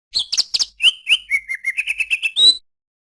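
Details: Greater green leafbird: three sharp chirps, two slurred whistles, then a quick series of clear, level piping notes climbing slightly and ending on one long rising whistle.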